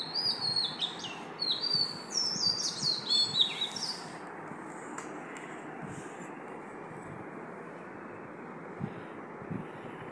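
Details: At five in the morning an Oriental magpie-robin gives a quick run of sweet, high whistled notes with little slurs during the first four seconds, then falls silent above a constant low rumble.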